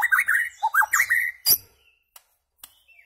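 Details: Shama singing for goldfinch tutoring: a short burst of rich, fast warbled whistles and a loud crack, then near silence with two faint ticks.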